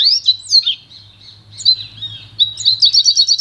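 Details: Pintagol (goldfinch × canary hybrid) song for training birds: slurred twittering notes, a softer thin passage, then a fast run of repeated sharp chirps about four per second, over a steady low hum.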